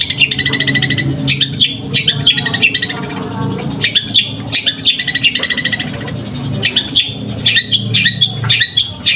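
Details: Long-tailed shrike in a song contest in Pamekasan, singing 'suara gereja' style nonstop: clipped, sharp chirps in rapid clusters, a rising whistled slur midway, and harsh squawky notes, over steady low crowd hum.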